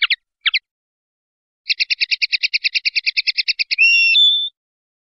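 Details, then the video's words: Swiftlet as a training call for cage birds: scattered double chips, then a steady rattling series of about twenty high chirps, ending in a short, thin, drawn-out whistled note. "MASTERAN UNIK BURUNG LINET"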